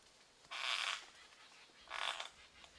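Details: A couple of wild yellow-tailed black cockatoos in Mulgum Creek valley, Northern New South Wales, in October 2020, near their roost. Two harsh, broad, rasping screeches, each about half a second long, are separated by roughly a second of quiet.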